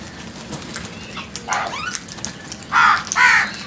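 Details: Frightened crows making loud alarm noise: a rough descending call, then two harsh, strained caws in quick succession near the end, set against a background hiss.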